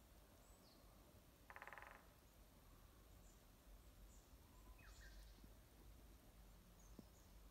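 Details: Unseen Japanese green woodpecker at the trailhead of Mount Haruna-Fuji, Japan: one short, rapid burst of drumming lasting under half a second, followed by faint scattered bird chirps over a steady background hiss.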